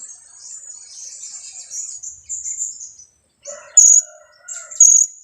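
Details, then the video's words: High, thin chattering from a two-week-old blue-crowned hanging parrot used to lure others, then after a short pause two loud shrill calls a second apart, with some lower squeaky notes between. "junior KIAK²...usia 2 minggu"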